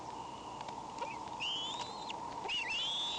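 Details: Bald eagle, May 19, giving wheezy calls: a short dip-and-rise note followed by two longer, high, thin whistles sweeping upward, over a steady background hum.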